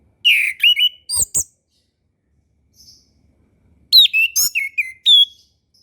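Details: Orange-headed thrush song meant to encourage young, learning birds: two rich bursts of fast varied whistles and chirps with sharp clicks, separated by a brief pause.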